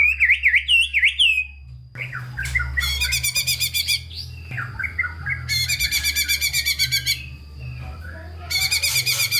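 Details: White-rumped shama in full, rich song, used as a lure to stimulate lazy shamas to sing: opening warbled whistles, then three bursts of very rapid, high, harsh trills separated by lower chattering phrases.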